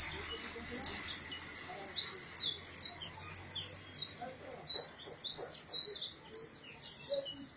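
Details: Early-morning birdsong in the Samunaber residence area around Gondar, Ethiopia, in 2017, heard from a balcony: a dense run of bright, high chirps and short twittering notes, several voices overlapping almost continuously, with a faint low hum underneath.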